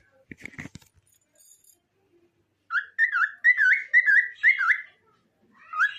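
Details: Cockatiel singing, preceded by a few clicks and then near silence. A phrase of clear whistled notes with wavy up-and-down slurs follows in quick succession, ending in a rising whistle.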